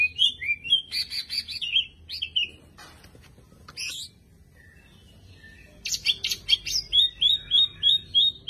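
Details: Greater green leafbird, a champion caged songbird used as a tutor for other birds, gives sweeping whistles and chattering notes, then a lull, then a series of evenly repeated rising whistled notes.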